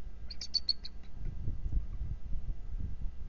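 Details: Bald eagle at its nest on a February 2023 morning, calling to its mate while on alert after intruder attacks. A short burst of high, quick chittering notes fades within a second, leaving low wind rumble.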